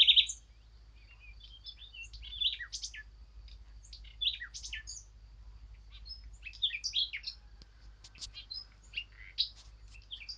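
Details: Eurasian blackcap singing a scratchy, varied warble of quick high notes, phrases tumbling one after another with brief gaps over a quiet background.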